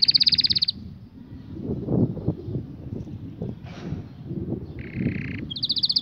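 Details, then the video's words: Canary song in short bursts: a high, rapid rolled trill opens and closes the passage, with a brief buzzy lower note near the end, separated by a stretch of low rumbling background noise. "هل لديك كناري لايغرد"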